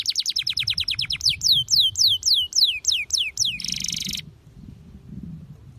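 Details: Canary singing vigorously: a fast run of repeated high descending notes, then slower sweeping whistled notes about four per second, closing with a dense buzzy trill before falling silent; faint low background hum.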